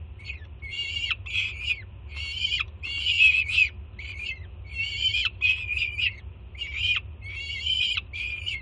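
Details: Juvenile peregrine falcon at a city nest in Jersey City, greeting its two-year-old mother bringing food, June 2017; grating screams in double and single bursts, many ending with a quick downward slur.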